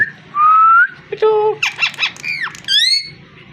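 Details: Parrot giving a long, steady, slightly rising whistle, followed by a flat tone, rapid speech-like chattering syllables and a closing upward-curving buzzy call, all within under four seconds.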